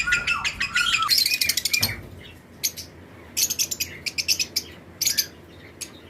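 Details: Paired lovebirds in an aviary flight colony during breeding season: a fast, dense run of high chirps with one level whistle, then scattered sharp chirp bursts with short pauses between them.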